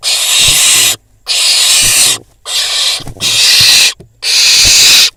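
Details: Fledgling barn owl in Israel, filmed by nest camera after a prey drop while feeding beside a pigeon; a near-continuous run of five harsh, airy screeches with only brief pauses and low knocks underneath.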